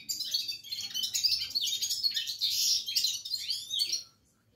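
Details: Red-fronted serin (Serinus pusillus) singing non-stop indoors: a fast, unbroken stream of high, tinkling twitters and buzzy trills, with a faint low room hum.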